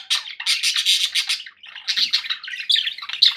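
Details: Budgies as household pets pour out a nonstop buzzy, scratchy warble, a fast stream of chirps and grating squeaks with one short dip midway.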